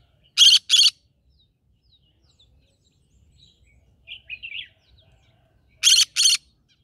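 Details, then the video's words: Green-cheeked conure in a rice field setting: two loud paired rasping squawks open and close the recording, separated by a brief soft warbling chirp in the quiet middle. "Green cheek conure singing"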